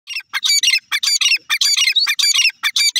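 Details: Young desi francolins giving harsh, squawking chirps in quick bursts, roughly three per second with short gaps, the notes rasping and fairly high, loud and close, with no other sounds.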